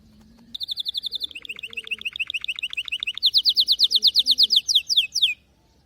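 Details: Canary in song. A steady high buzzing roll leads into a lower chopped trill, then a bright, fast series of descending slurred syllables ending in a few spaced swoops. A faint low hum runs beneath.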